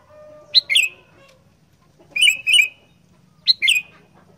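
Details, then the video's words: Sooty-headed bulbul, a kutilang kept as a singing fighter bird, giving short bubbly whistled phrases of two or three liquid notes, repeated at intervals over a quiet background. "Burung Kutilang Gacor Fighter"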